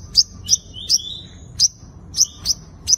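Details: Five-coloured sunbird giving its fighting song, used as a lure to catch wild birds: sharp high chirps, each a bright note with a short rising flick, seven in three seconds at uneven spacing, over faint low background hum.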